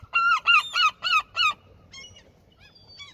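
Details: Gulls being fed at a fishing spot within their territory: five loud, nasal, harmonic calls in quick succession, roughly three per second, followed by a few fainter, thinner calls from other gulls.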